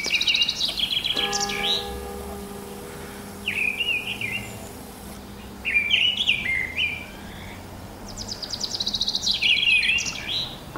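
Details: A Mistle thrush sings in the morning in March or April 2010, giving short, loud fluty phrases separated by brief pauses, with high chattering notes at the start and end and a low steady hum.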